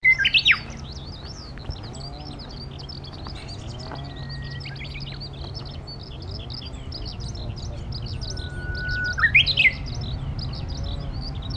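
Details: Japanese bush warbler (Horornis diphone) singing in Takatsuki, Osaka, Japan, on 21 March 2015 in spring: a long, steady whistle breaking into a quick rising-and-falling flourish, with Eurasian skylark song, other small birds' chatter and a low hum throughout.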